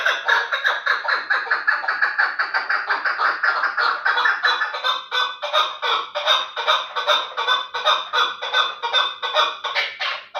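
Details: Terali chukar partridge, kept as a fighting and hunting bird, calling in fast, pulsing bursts of rough chattering notes, about two to three per second, loud and continuous from start to finish.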